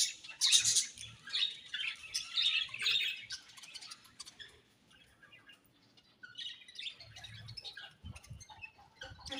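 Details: Budgerigars give lively, high chirps and warbles that are loudest at the start, then fade to scattered, softer twitters with faint low knocks in the background.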